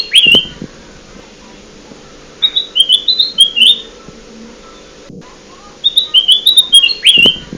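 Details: Kutilang emas (ruby-throated bulbul) trapping lure: three separate bursts of lively chirping whistled notes, each a rapid cluster of rising and dipping chirps, separated by pauses of a few seconds, with a low steady hum behind.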